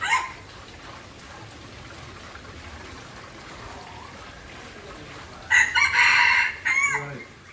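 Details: Junglefowl in Aceh: the tail of one crow opens, then steady quiet background, then a strident, rasping crow of about a second with a brief clipped final note.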